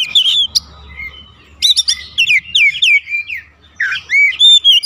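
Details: Singing Oriental magpie-robin, 'ngeplong gacor' style, used to draw a response from magpie-robins at home: scattered whistled notes over a low hum, then a dense run of bright, bending whistles and loud looping phrases.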